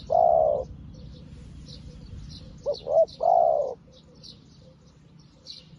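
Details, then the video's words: New decoy spotted dove calling wild ones to a trap. One long low coo opens, then two brisk short notes and another sustained coo, while small birds chirp faintly high above. "លលកថ្មីមែន តែធ្វើហៅព្រៃដូចធ្នាក់ចាស់"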